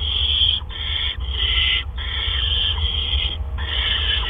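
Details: Barn owl nest, evening of 17 April 2013, with two adults bringing gophers in turn; drawn-out scratchy hissing in long bursts broken by short pauses, about five in all, over a low electrical hum.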